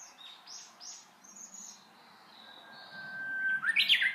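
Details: Hō-hokekyo of a Japanese bush warbler. A held, even whistle gives way to a bright, tumbling flourish at the end, after several softer high chirps from other birds.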